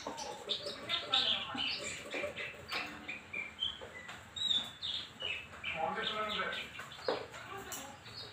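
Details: A kept Horsfield's bush lark gives quick, varied chirps and short twittered phrases at mid to high pitch, with faint human voices and other background noise.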